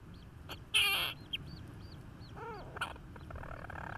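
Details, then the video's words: European storm petrel on Ramsey, 31 July 2016: a 'singing' adult with its chick calling in the background; thin, high arched peeps in quick series, a few lower squeaky notes, and one loud scraping rustle near the start. "European storm petrel and chick"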